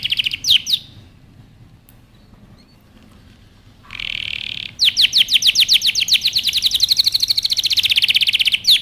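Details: Training song of a canary: after brief sweeps and a near-silent pause, a short harsh buzz gives way to a long accelerating series of bright downward-slurred whistles, repeated rapidly and evenly.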